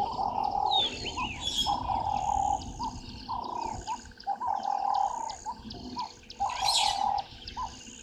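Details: Burchell's starling at Gowrie dam waterhole, Djuma Game Reserve, Sabi Sand, South Africa, 08:00 on 14 March 2023, gives harsh, chattering and gurgling calls in repeated bursts over a mid-pitched chorus and scattered high chirps from other birds.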